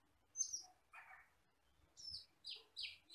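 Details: Common hill myna, a wild forest bird, uttering a sharp high note, a lower rasp, then three quick bright chirps spaced about half a second apart.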